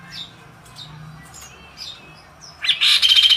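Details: Magpie robin (kaso-kaso) singing in the gajor dorr style: soft scattered chirps and short whistled notes, then a loud, fast, buzzy rattling trill bursting in for the final second.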